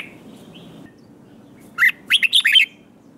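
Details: Red-whiskered bulbul competitive song: after near silence, one brief lively phrase of five or six jumpy whistled notes.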